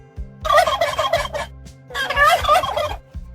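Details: Two back-to-back turkey gobbles, each a loud, fast, rattling series of notes lasting about a second, separated by a short pause, with soft music in the background.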